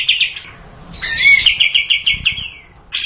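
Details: Long 'tembak' style singing from a sooty-headed bulbul, known locally as kapas tembak. A few quick notes, a short pause, then a sustained rapid train of sharp, even chips ending in a brief bright note.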